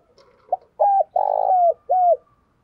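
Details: Decoy spotted dove calling energetically to attract wild birds: a short soft note followed by three loud, hollow, slightly falling coos, the middle one longest and throaty, delivered in close succession.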